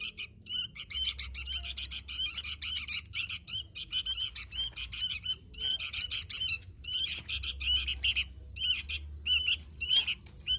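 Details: Sooty-headed bulbul delivering lively song: dense, fast, high-pitched chattering and trilled phrases, mostly continuous, with a steady low hum in the background.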